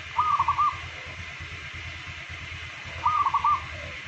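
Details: Local zebra dove, a daily singer; two trilled, bubbling cooing phrases about three seconds apart against constant background hum.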